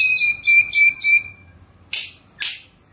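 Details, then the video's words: Sunda robin (tledekan gunung) singing while perched still, a long steady whistle with three rising notes above it, then two sharp buzzy bursts and a high thin note. "Tledekan Gunung Gacor full diam di pangkringan"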